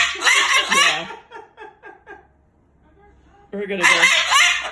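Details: Pet Moluccan cockatoo, angry about its owner sleeping over, cursing at full volume: a loud raspy outburst, then a quieter stretch of soft chattering syllables, then another loud shrill burst.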